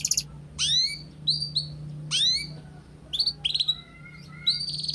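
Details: Canary master recording meant to get young canaries singing: scattered bright upslurred chirps and short trilled bursts over a faint steady low hum.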